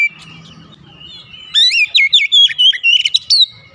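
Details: Oriental magpie-robin (kacer) in the morning: after a low rumbling background, a loud fast run of rising and falling whistles and sharp chirps begins, continuing for about two seconds.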